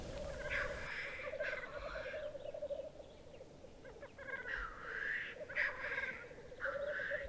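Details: Black grouse lek in southern Norway in April, as spring snow melts, heard early while still dark: a steady, low, dove-like bubbling chorus broken every second or two by harsh, wheezy hissing bursts from displaying, fighting males.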